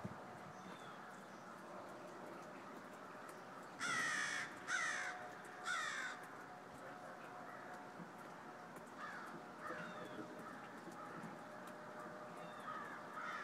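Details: A flock of crows ahead of snowfall on Friday, December 13: three loud, harsh caws close together near the middle, framed by fainter, more distant cawing from the rest of the flock.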